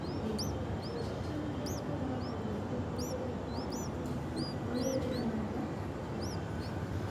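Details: Hungry bulbul nestlings on their third day in the nest beg with thin, high chirps, many short rising-falling notes overlapping in quick succession, over a steady low background rumble.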